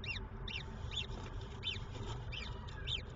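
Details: A Peregrine falcon chick, the nest's first, seen on 26 April 2023 from 13:52, gives six thin, high, arched begging cheeps about twice a second over a steady low rumble.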